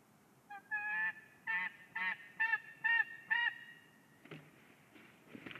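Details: White-tailed eagles mating at a nest in Ķemeri National Park, Latvia: about six loud yelping notes in quick succession, then quieter rustling and a few faint sounds, over a low background hiss.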